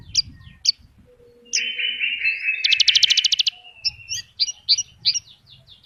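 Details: Energetic gacor song of a Horsfield's bush lark, packed with isian phrases: scattered high chips, a long buzzy drawn-out tone, a fast rattling trill of about a dozen pulses, then quick varied whistles.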